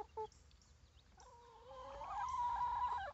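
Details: Outdoors by the coop, baby chicks call: two quick short notes open, then a long, swelling, upward-sliding tonal call that holds steady before cutting off.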